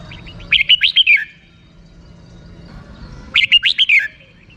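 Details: A red-whiskered bulbul sings in the rik style. Two identical quick phrases of five or six bright, chopped notes with a falling finish come about three seconds apart over a soft background murmur.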